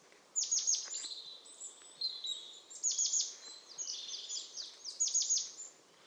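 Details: European crested tit song: a run of very high, thin notes with quick descending strokes in clustered bursts every second or so, over a steady hiss of background noise.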